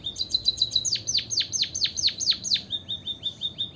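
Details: Song of a white-headed munia played to encourage other birds to sing: quick level high notes, then a regular run of loud, down-sweeping chirps about every quarter second, ending in softer flat piping notes.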